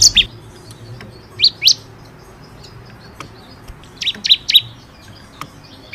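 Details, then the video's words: Bar-winged prinia (ciblek kristal) in energetic 'gacor' form, recorded as tutor song for caged birds: scattered sharp, high chirps in short clusters, some doubled, separated by quiet gaps over a low background hum. "SUARA BURUNG CIKRIS | CIBLEK KRISTAL GACOR BUAT MASTERAN"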